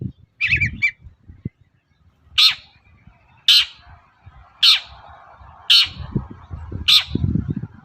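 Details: Long-tailed shrike in the morning, a lure to draw replies from other shrikes: a brief chatter, then five loud harsh rasping calls spaced about a second apart, with a low rumble in the background.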